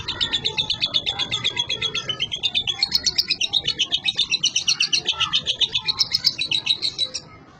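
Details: Caged young lovebird delivering an unbroken, high chattering song of fast squeaky notes, pulsing steadily about four times a second for several seconds before ending, amid low background noise.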